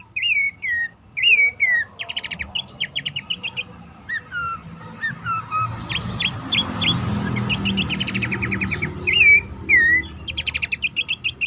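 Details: Horsfield's babbler calling to coax caged birds that have stopped singing or are stressed into song. Whistled downslurs and rapid rattling note series repeat over a rumbling, noisy background.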